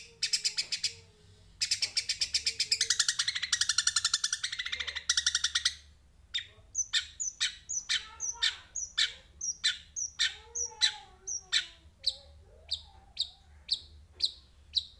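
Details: Sparrow (burung gereja) calling: several seconds of fast, continuous high twittering, then a pause followed by evenly spaced sharp chirps roughly every half second, with occasional lower notes and a faint background hum.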